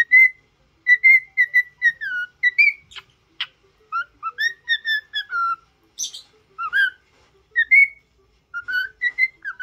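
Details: Cockatiel being taught to sing and talk whistles a lively series of short level and falling notes, steady and rapid, with a couple of brief clicks.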